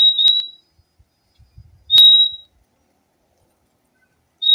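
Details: Fim-fim (purple-throated euphonia) singing: three clear, pure high whistles, each brief and steady in pitch, spaced about two seconds apart, with faint low knocks between them.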